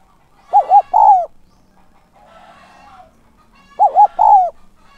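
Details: Decoy spotted dove giving a calling coo used to lure wild doves: two short hooting notes followed by a longer, slightly falling coo. The phrase is repeated about three seconds later, with faint background sounds between.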